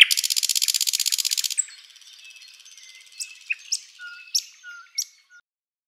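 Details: Thrush nightingale in a spring forest at sunrise giving a loud, very fast dry rattling trill lasting over a second, followed by quiet scattered clicks and soft low whistles.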